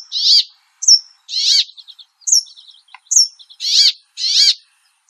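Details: A brambling (Fringilla montifringilla) sings harsh, buzzy, nasal wheezes, about one per second, between thin high whistles and soft ticking notes.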